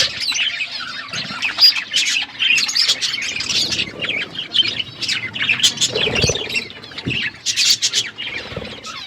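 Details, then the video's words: Budgerigars chirping while they eat, short bursts of high scratchy warbles and chirps broken by brief pauses, with a few soft clicks and wing sounds. "Beautiful budgies parakeet eating food birds chirping sounds"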